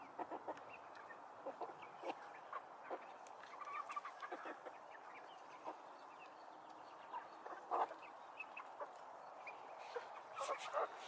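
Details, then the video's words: Chickens and roosters in a coop, many birds clucking in short, scattered bursts over a steady background hum, with a few louder calls near the end. "Chickens and Rooster"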